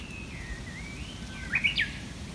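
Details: Japanese bush warbler singing on a morning walk after rain: a long, even whistle that dips slightly, then a quick burst of sharp notes rising and falling in pitch, with a low background rumble.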